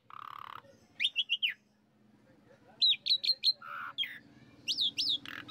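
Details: Pancingan for the Asian pied starling (jalak suren), played to rouse a kept bird to song: groups of three sharp repeated whistles alternating with lower buzzy notes, faint background hum.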